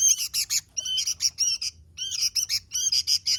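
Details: Vigorous song of a Sooty-headed bulbul, with dense runs of quick chirping, scratchy notes in two bursts separated by a short gap.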